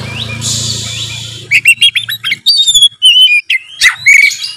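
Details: 'Narung'-style oriental magpie-robin song, loud and continuous, used to make a reluctant bird start singing. A low hum and hiss fill the first second and a half, then crisp whistles, buzzy notes and a trill follow in quick succession.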